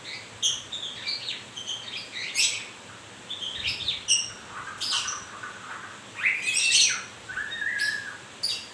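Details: Moulting white-rumped shama singing loosely spaced phrases of short high whistles and harsh bursts, with a sweeping whistled note rising and falling near the close.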